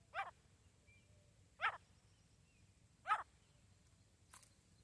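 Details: Female grey francolin, locally gora teetar, giving harsh, raspy single notes repeated about every one and a half seconds, three strong calls and a fainter fourth, against a quiet hissing background.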